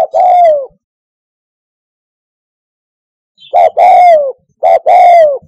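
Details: Spotted dove cooing, a recording meant to lure doves for hunting from a hide: a single mellow coo, then after a three-second silence a short note followed by long, slightly falling coos, repeated twice.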